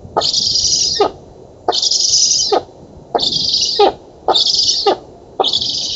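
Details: Black stork nestlings at an oak-tree nest in Poland, 11 August 2017, begging during feeding: harsh, hissing, wheezy bursts about one second long, five in a row, separated by short gaps, with clicking sounds at each burst's edges.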